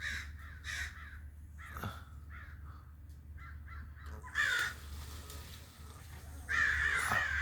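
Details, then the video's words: Crow cawing, with faint rasping calls early on and two louder, drawn-out harsh caws later, over a steady low background hum. "original sounds of the crow's"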